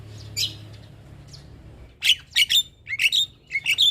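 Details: Starling calls to get caged starlings singing: a faint chirp and long pause, then a lively series of sharp, buzzy high squawks with short whistled tails, closely spaced over two seconds.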